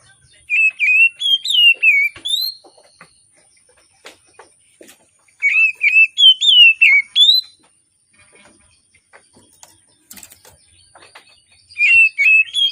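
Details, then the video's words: Oriental magpie-robin singing vigorously in the morning, used as a lure for birds reluctant to sing: bright whistled phrases that rise and fall, in three bursts of about two seconds separated by quiet pauses with faint clicks. "Kacer Gacor Di Pagi Hari, Pancingan Kacer Sulit Bunyi dan malas Bunyi"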